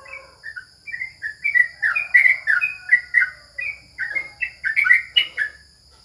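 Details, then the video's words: Yellow-vented bulbul held as a contest bird, singing at home: a rapid chain of clear, slurred whistles and chirps, some down-sweeping, with a few sharper clicks mixed in, steady over several seconds. "Lomba Burung Libur Beginilah Aksi Trucukan"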